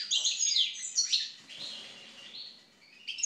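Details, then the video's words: European goldfinch singing after moult, a short burst of bright, liquid twittering notes that fades into a softer, lower warble near the end. "European Goldfinch (Carduelis Carduelis) after moult song."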